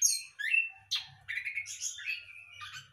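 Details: In a hanging breeding cage, a captive Orange-headed thrush delivers a few loud slurred whistles and a downward sweeping note, followed by warbled, wavering phrases. A soft low hum runs through the background.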